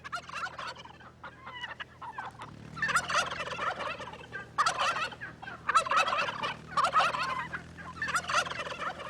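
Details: Domestic turkeys on a farm, which gobble all year rather than only in spring, give loud, rapid, rattling gobbles in bursts about every second, several birds overlapping, over a low hum.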